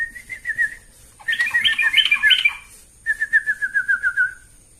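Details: Sooty-headed bulbul, tame and flapping its wings, gives a series of evenly repeated whistled notes, a burst of rich warbling chatter, then another steady run of about ten clear whistles.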